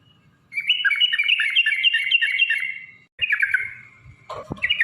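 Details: Yellow-vented bulbul in long rapid 'ropel panjang' fighting song, used as a lure to provoke other bulbuls to sing: a fast bubbly chatter of high notes for about two and a half seconds, a short pause, then another chattering burst ending with a sharp click.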